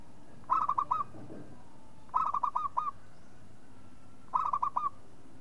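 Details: Calling local zebra dove, a lure recording, giving three short phrases of rapid staccato coos, each phrase about five notes, spaced roughly two seconds apart against faint background noise.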